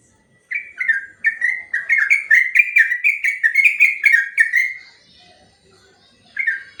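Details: Sooty-headed bulbul singing a long 'ropel' master song for training birds: fast series of bubbly whistled notes, about two per second, running four seconds, a pause, then a new phrase starting.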